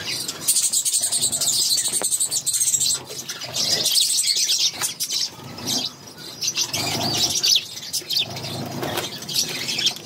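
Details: Six budgerigar chicks being fed by their mother, kept as caged birds; bursts of harsh, high raspy chirping come and go in irregular waves, with quieter gaps between the louder spells.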